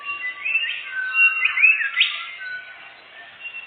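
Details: Forest bird-hunting lure song of a canary: continuous, musical warbling with swooping, whistled slides and rapid chatter, loudest in the middle, then softer wavering notes.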